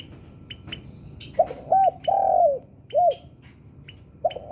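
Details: Spotted dove of the 'sultan' type, singing vigorously, used as a lure for other birds: one cooing phrase of two short coos, a long drawn coo and a short coo, then a new coo starting, with sparse high chirps.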